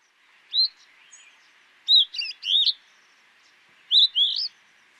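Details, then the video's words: Streaked rosefinch (Carpodacus rubicilloides) singing: short, bright, upslurred and warbled notes in loose clusters, roughly one phrase every two seconds, over a faint hiss. "O canto do Pintarroxo estriado"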